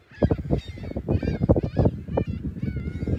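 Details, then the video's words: On a Sunday morning, March 21, 2021, seagulls call at South Beach, South Haven, facing the lighthouse and pier. Repeated short, wavering mewing cries from a few birds rise and fall against loud crashing waves. "Morning Sounds of Big Blue & Seagulls"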